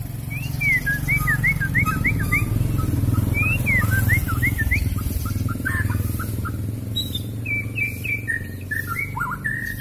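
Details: Long-tailed white-rumped shama from Kuala Lumpur stock pouring out song with filler phrases: a rapid stream of short rising and falling whistles and chirps, varied throughout, over a loud low rumbling background noise.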